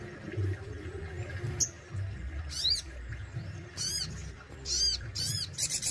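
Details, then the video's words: Kept Crested Jay from Indonesia giving a series of loud, arched, sweeping notes at irregular intervals, some doubled, closing with a fast high trill; soft low rumble behind. "SOGON ISTIMEWA ,BESETAN DAN TEMBAKANYA WOW BANGET || SOGON RAWATAN GACOR"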